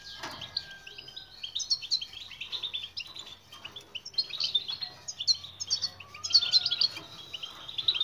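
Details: Goldfinch song as a training recording for silent birds: long stream of high twittering chirps and trills, with faint lower whistled tones from another source in places.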